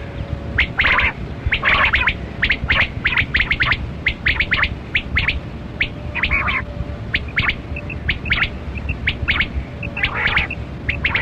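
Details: Kali Kirak batera, a quail, in a hunting context, pours out fast, rasping, crackling notes in irregular groups over about eleven seconds, backed by a steady drone and faint high double pips.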